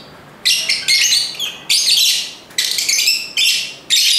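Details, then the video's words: Rapid, grating lovebird calls follow one another almost without break, loud buzzy shrieks in irregular bursts. "Ramai Kicauan Lovebird (Lovebirds Sounds)"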